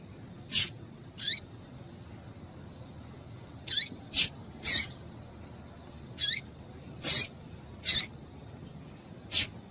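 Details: Female double-collared seedeater call used to excite males: about ten short, sharp, high chips at irregular intervals across ten seconds, several sweeping steeply downward, over a quiet low background hum.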